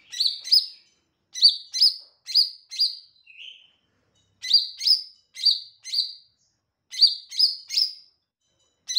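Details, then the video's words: Melodious song of a lesser green leafbird (cucak ijo mini) in full voice: clipped, bright downslurred notes in quick runs of two to four, a soft lower warble midway, pauses of about a second between runs. "Cucak ijo mini gacor suara merdu"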